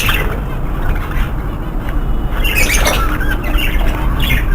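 Budgerigars give harsh, scratchy squawks and chattering notes over a steady low rumble.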